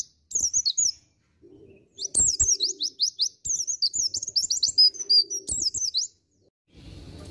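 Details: A promising young Dakun white-eye gives a rapid, high-pitched twittering song in dense bursts of thin, squeaky chirps, with a faint low hum underneath.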